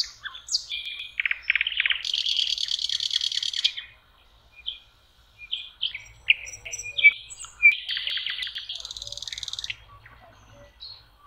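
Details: Spring song of a common nightingale by a lake in May: high whistles, then a dense buzzy rattle held for about two seconds, a pause, and more varied whistled notes and another rattling burst. A faint low rumble runs underneath.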